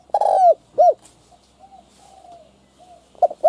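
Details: Spotted dove decoy calling to lure other doves: the end of a phrase with a long rough croo and arched coo, quieter distant coos, then the start of the next phrase.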